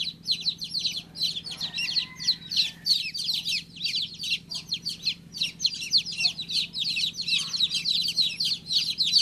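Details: Newly hatched chicken chick peeping insistently in fast, high, falling chirps, about three per second, in grouped runs with brief gaps.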